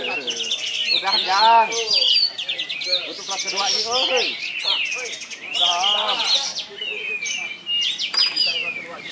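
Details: Champion kapas tembak white-eye singing at a songbird contest in Ketapang, Krotosari: a long, busy stream of high chirps, buzzy trills and slurred whistles in bursts, with spoken voices audible throughout.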